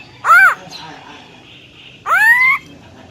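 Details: Female black-throated laughingthrush with a wild-type voice, meant to excite males: one short arched nasal note, then a longer rising upslurred call after a pause.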